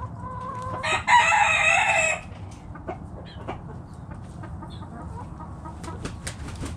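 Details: Backyard chicken flock foraging in the morning; one loud, harsh, noisy crow-like call lasting about a second, then quieter scattered clucks and soft ticking sounds over a low rumbling background.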